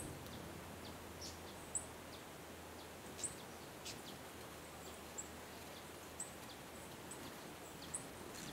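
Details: A male White-throated Mountain-gem at Savegre, Costa Rica, gives five very high, thin ticks spaced one to two seconds apart over steady background hiss.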